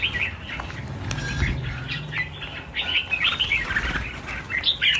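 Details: Red-whiskered bulbuls, a large flock of about a thousand birds freed together, pour out continuous jumbled chirping and squeaky warbles that swell louder in the second half, with rustling and a low background hum beneath.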